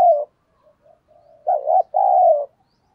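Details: Spotted dove, thổ sấm style voice, used to prompt a new bird to coo: the tail of one falling coo, quiet low murmurs, then a clear two-part phrase of a quavering note and a long sliding coo.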